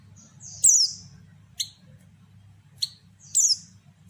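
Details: A female white-eye calls, used to provoke males into singing: four thin, very high, down-slurred chirps spaced irregularly over four seconds, over a low steady hum.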